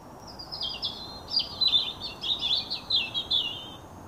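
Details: Young male blackbird singing to win a mate and territory: a continuous run of high warbled, twittering notes with quick slurred phrases for nearly four seconds, over a steady low background hum.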